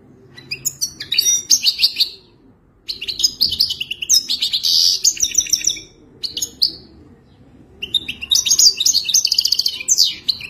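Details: European goldfinch mating song used to train a captive bird to sing: four energetic bursts of dense, tinkling twitter mixed with harsh buzzy notes, separated by brief silences.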